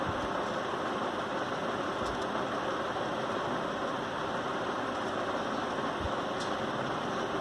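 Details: Even, steady mechanical hiss and engine drone with a couple of faint knocks, and no animal sounds.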